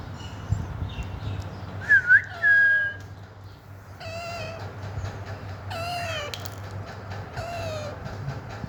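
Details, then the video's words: Green Alexandrine parakeet, a pet talking parrot, playing with toys: a short wavering whistle, then three harsh, nasal squawks with stacked overtones, about one and a half seconds apart, over a low steady hum. "Parrot making beautiful Natural Sound while playing"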